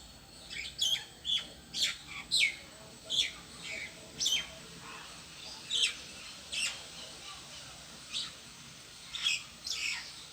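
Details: A bird sitting alone on a tree calls with short, sharp, high chirps, each a quick downward-sweeping note, repeated irregularly about every half second to two seconds.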